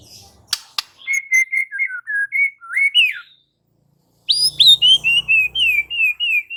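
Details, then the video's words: White-rumped shama answering and singing hard, unloading its repertoire. Varied clear whistles rise and fall in two phrases separated by a short silence. Sharp clicks open the recording, and a low hum sounds under the second phrase. "Seketika murai batu NYAUT GACOR dan BONGKAR Muatan dengan Kicau murai ini"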